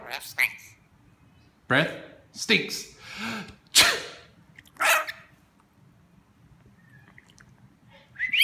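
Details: Talking pet rainbow lorikeet copying sneezes and speech: a run of sharp, noisy sneeze-like bursts and hoarse spoken syllables, spaced unevenly, followed by a quiet stretch and a faint whistle at the end.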